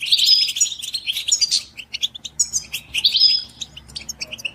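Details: Chorus of European goldfinches whose mating calls are played to break a caged male's silence; bright liquid trills and twangy buzzes in two strong bursts, tinkling chips between, low hum beneath.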